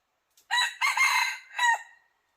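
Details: Crow of a junglefowl rooster used as a decoy to lure wild red junglefowl: a short stuttering start, then a long harsh drawn-out middle and a falling final note, in clean silence.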